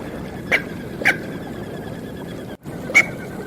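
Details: Smew duck calling with short, sharp high notes, two in quick succession then a third after a brief gap, over steady hissing background noise.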